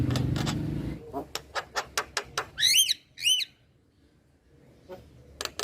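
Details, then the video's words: Male Javan myna: human speech briefly at first, then a series of dry clicks followed by two loud, ringing arched whistles, then near silence with a few final clicks. "Suara Alam Jalak Kebo Jantan"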